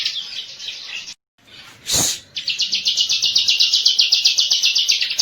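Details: Pulsed, high trilling song of a bar-winged prinia (ciblek), broken by a short silence and a loud noisy burst, then resuming as an even, rapid rattle for about three seconds.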